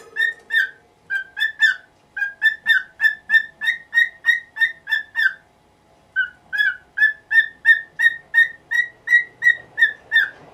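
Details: Pet cockatiel in its nineteenth year demanding in the morning that its cage cover be removed. Steady, fast runs of loud, piercing squawks, roughly three per second, in two long sequences broken by a brief silence.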